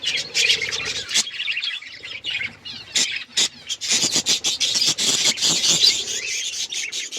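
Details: Budgies chirping together: a busy mix of scratchy squawks and high chattering warble, with sharp clicking ticks growing denser toward the end.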